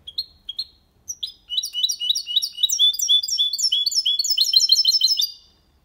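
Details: Goldfinch × canary hybrid singing clean copia malaga song to stimulate females and teach young birds. A few spaced chirps lead into a long, fast, high-pitched twitter of trills and buzzy notes, which stops just before the end.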